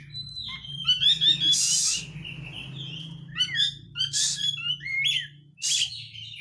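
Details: White-rumped shama lure song with rapid 'crecetan' chatter, used to make birds sing: twisting whistled phrases broken by three loud hissing rasping bursts over a steady low hum.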